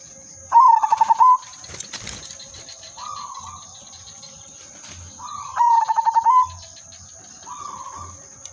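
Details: A zebra dove, silver udanmas variety, singing to lure birds for trapping: two bold phrases, each a fast string of clipped coos closing on a sustained purring note, about five seconds apart, softer coos and electrical hiss between.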